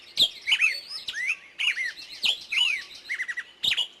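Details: Lively forest birdsong of varied whistled and warbled phrases, slurred notes curving up and down, with quick short bursts and a brief fast trill near the end.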